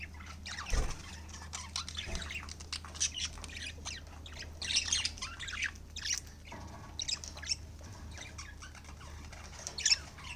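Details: Pet budgerigars chatter with scratchy, squawky chirps in quick bursts over a low steady hum during their winter bedtime meal.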